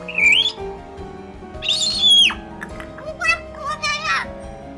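A Hill Myna gives loud, rising whistles and harsh, rasping notes in short bursts about every second, over soft background music.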